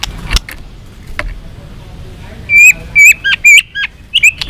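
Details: White-rumped shama singing a varied, provoking fighting song: after soft scattered clicks, a burst of loud, clear whistled notes, some bending downward, with short sharp inserts, in a quiet setting.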